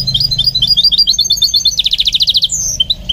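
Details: Goldfinch mule being trained to sing, giving a fast chattering twitter that breaks into a dense buzzy rattle and ends with a high thin whistle.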